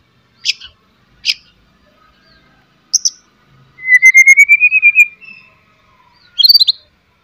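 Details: Provocative song of a white-rumped shama aimed at other shamas: scattered sharp chips and clicks, a slightly rising trill of about a second, then a final rapid twisting phrase, with quiet gaps between.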